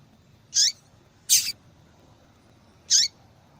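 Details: Calling female double-collared seedeater, used to encourage males to sing; three high, harsh, downslurred chips within about three seconds, the middle one longer and broader, over low steady hum.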